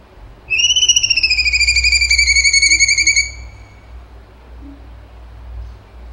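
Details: Cucak cungkok singing vigorously in 'tembakan' style: a pulsing whistle that rises briefly, then slides slowly downward and trails off after about three seconds, followed by quiet.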